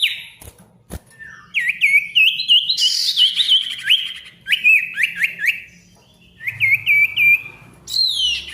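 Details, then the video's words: Ashy tailorbird song aimed at silent tailorbirds, to make them sing again: long runs of fast repeated upslurred whistles, about three a second, with a buzzy patch and clicks, broken by a pause. "SIRTU GACOR RIBUT COCOK UNTUK SIRTU MACET BUNYI AGAR GACOR KEMBALI"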